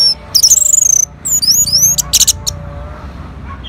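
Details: An orange-headed thrush answers a lure with a rapid high trill, then looping, twisting whistled phrases and a burst of harsh buzzy notes.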